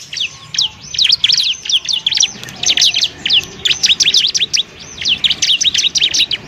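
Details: Bar-winged prinia song for teaching other birds, with rhythmic volleys of crisp, rising and falling high notes in grouped phrases separated by brief pauses.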